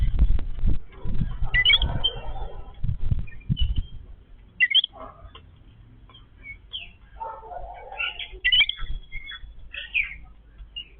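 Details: A family of Yellow-billed babblers feeding together. Scattered squeaky, upward-sweeping chirps and short chattering notes, with soft tapping and rustling early on.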